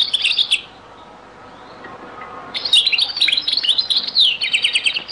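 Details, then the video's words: European goldfinch singing in the Beni Messous 'les avocats' (zaboka) song style, from a very old recording: bright twittering phrases with rapid high chirps and trills, a pause in mid-clip, then a denser burst of tinkling notes. "تغريد - تسجيلة جد قديمة بني مسوس ليزافوكا | chant beni Messous les avocats zaboka"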